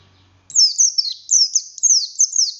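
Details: Kept buxtoni oriental white-eye in vigorous song: after a faint low hum, a burst of high, clear whistles, each sliding steeply downward, about four in two seconds.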